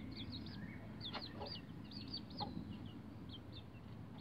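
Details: Several bantam Rhode Island Red chicks, roughly 11 days old, on a chicken ladder; clear, high cheeping notes that slide down, given in quick clusters of two or three, with a few sharp knocks and a constant low hum beneath.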